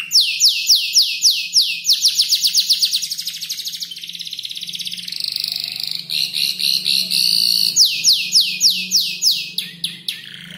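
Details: Five-month-old canary practising a song stitched together from imitated birds like ciblek, klik-klik and prenjak lumut; rapid rattling trills of falling notes, a steady buzzy stretch, then renewed quick trills, loud and clear.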